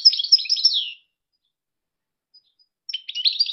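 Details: Goldfinch song from Algeria: a quick jumble of bright, high twittering notes lasting about a second, a long silence, then a fresh burst of scratchy, tinkling trills.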